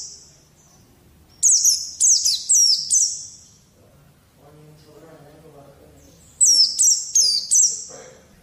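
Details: White-eye training recording meant to coax untrained young birds into singing: two bursts of high, sharp down-slurred chirps, about four quick notes each, separated by a quiet gap with faint low murmuring.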